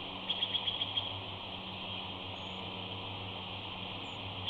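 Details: At Big Bear on a morning in April 2019, a female bald eagle on the nest beside her mate and eaglets chirps softly. A quick run of about six thin, high chirps opens the clip, then only steady background hiss remains.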